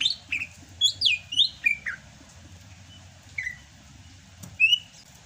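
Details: Sumatran greater green leafbird singing in rainy season, kept as a songbird: a quick cascade of bright descending whistled slurs, then scattered single whistles after a pause.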